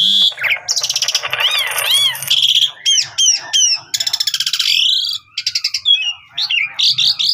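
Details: Asian pied starling in full, varied song, used as a lure for other starlings: harsh buzzy bursts, arching whistles, rapid ticking series and a long wavering whistle, with a soft low hum behind.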